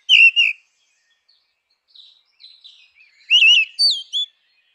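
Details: Grey-winged blackbird, wild, sings a rich fluty whistle, then soft quiet notes, then a louder cluster of warbled, swooping whistles.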